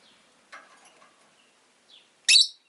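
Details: Pet rosy-faced lovebird giving one loud, harsh, buzzy chirp near the end, preceded by a few faint scratchy sounds in an otherwise quiet room.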